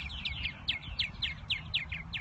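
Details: Purple martins in spring at Irving Park by Lake Michigan, Chicago, near nests: a rapid run of downward-slurred, gurgling chirps repeated several times a second, over low city traffic rumble.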